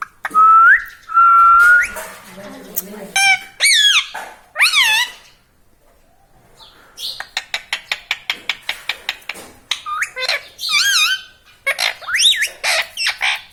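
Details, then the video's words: Pet parrot mimicking human talk and whistles: a sustained level whistle, several wavy harmonic syllables, then a run of rapid evenly spaced clicks, followed by more chattering wavy notes. "Mittu Bolne Wala Tota || Talking Parrot || Mummy Mummy"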